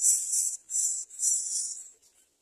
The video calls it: Greater coucal baby bird vying for food